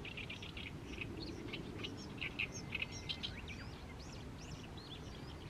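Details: Mid-May evening in a fallow rice field, with an Oriental reed warbler singing steadily: a string of harsh, clipped notes and a few short slurred whistles, with low rumbling noise beneath.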